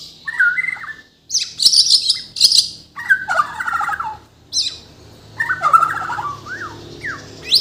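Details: White-rumped shama of Borneo, from Kalimantan, delivering a mimicry-filled song: clusters of warbled whistles alternating with harsh high buzzy bursts, phrases repeated every second or so with brief gaps.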